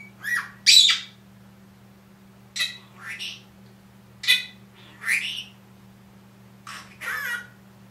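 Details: One-year-old pet Senegal parrot saying phrases such as "Good Morning" and "I'll be back": short raspy spoken syllables in separate bursts, over a steady low electrical hum.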